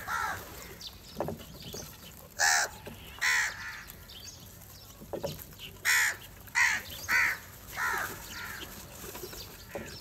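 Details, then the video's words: Crows fighting over food in the morning, eating cheese and butter; loud harsh caws come in irregular bursts about every half second to a second, with fainter calls and rustling between. "Crow Attacks On The foods And Fight for food"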